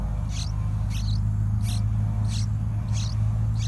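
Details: Yellow-vented bulbul at a nest where parents feed two fledging-age chicks wild fruit and dragonflies: six thin, high squeaky chirps, about one every two-thirds of a second, over a steady low hum.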